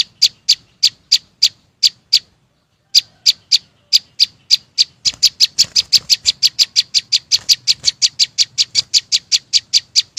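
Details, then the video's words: Chim sâu xanh song of crisp, high, evenly spaced chip notes. It starts slowly, pauses for nearly a second, then quickens into a fast, tight run of about four notes per second. Faint low background hum. "tiếng chim sâu xanh hót chuẩn"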